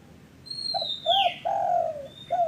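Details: Spotted dove coo phrase played as a lure to prompt caged or newly kept doves that have stopped calling: two short coos, one long steady coo and a short closing note, overlapped by a loud high descending whistle.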